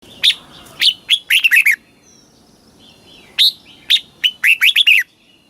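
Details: Red-whiskered bulbul song, played to excite caged birds and teach young birds, in the southern Thai master-phrase style: two bursts of loud clear whistled notes, each ending in a quick rolling run of four or five notes, with a gap between.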